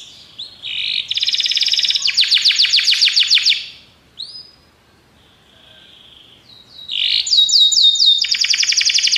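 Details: A Belgian canary sings for training: bursts of rapid buzzy trills separated by quiet gaps, a lone whistled slur mid-way, then a final fast run of sweeping notes; faint background rustle.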